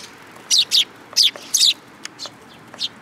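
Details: Sparrows coming to be fed at a Tenmangu shrine on 8 July 2022; a quick series of loud, harsh chirps in pairs, followed by fainter ticking notes.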